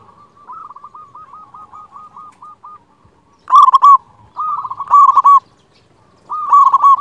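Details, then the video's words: Local zebra dove with a big, loud voice, used as a master song to rouse quiet birds into singing. A soft string of rapid cooing pips gives way to three loud, throaty rolling coo bursts with pauses between. "Perkutut lokal gacor suara besar Masteran perkutut bikin yang malas jadi bunyi."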